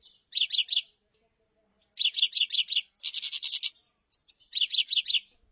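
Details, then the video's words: Common chaffinch, known locally as tablat, singing: bursts of sharp, high chirping notes in short phrases of three to six, a quicker dense trill in the middle, brief pauses between phrases, and no other sounds. "تغريد تبلاط"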